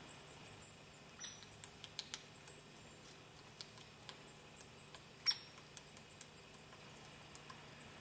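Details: A Hairy Woodpecker in the Adirondacks, in early winter after the first hard frosts, taps softly: dry, irregular knocks a fraction of a second to a second apart, one sharper rap among them, over a quiet hiss.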